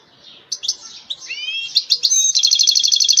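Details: European goldfinch singing: a few sharp chirps, then liquid whistles sliding up and down, running into a fast, tinkling, slightly buzzy twitter that continues to the end, over a quiet background.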